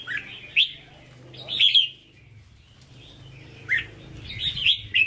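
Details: Caged red-whiskered bulbul with Hue-style song: separate loud whistled notes and short chattering phrases with quiet gaps, a low hum in the background.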